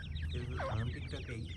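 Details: Young francolins peep in a brief burst of high, wavering chirps, with one louder swooping note in the middle and low hum underneath.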